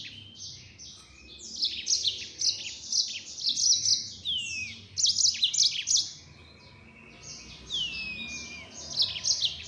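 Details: Fast, sustained song from a yellow-fronted canary in 'nembak' style, packed with dense buzzy trills broken by a few long falling whistles.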